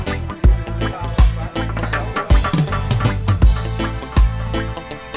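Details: Loud drum-driven music with heavy bass beats plays throughout, and no animal sound stands out.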